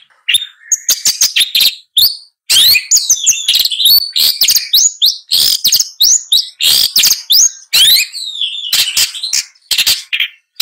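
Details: Long-tailed shrike in full varied song, a continuous rambling stream of harsh scratchy notes, slurred whistles and quick trills with only brief breaks.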